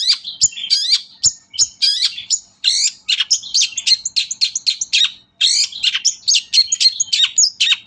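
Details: Long-tailed shrike lure song meant to provoke other shrikes to sing: a rapid, nonstop string of sharp chirps, slurred whistles and scratchy notes with barely any pause.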